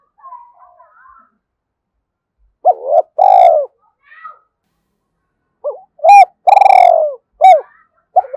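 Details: Cooing of a spotted dove, played to stimulate and attract other doves. There are soft scattered notes, then a stuttering coo sliding into a long rolled note. A later phrase ends with two short hooked coos. The setting is quiet.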